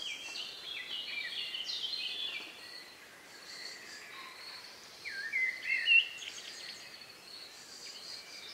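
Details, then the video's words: Dusk in the countryside on May 2, 2020, around 9 p.m.: busy high warbling and chirping from several birds early, quieter stretch, then a brief louder whistled burst near six seconds. "relax sound of bird in the evening"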